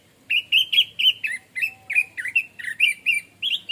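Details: Song of an orange-headed thrush (anis merah/punglor) in the 'plong santai' style: a continuous run of clear, loud whistled notes, each sharply rising or falling, delivered about four per second without a break.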